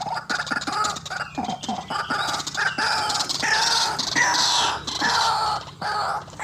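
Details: Lure recording of a white-breasted waterhen for trapping birds: dense, raucous series of grating croaks and squawks, continuous and excited, rising and falling with brief pauses.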